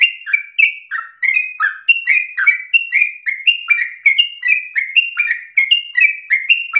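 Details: Yellow-vented bulbul pouring out a dense, unbroken run of song, a long-breathed phrasing meant for other bulbuls to copy. Crisp high whistles interleave with lower falling notes at a fast, jittery pace.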